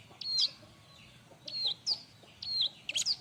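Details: Bar-winged prinia giving its loud training song for other birds: separated high whistles, each rising then sliding level, with a quick burst of sharp chips at the end, over a soft low background hum.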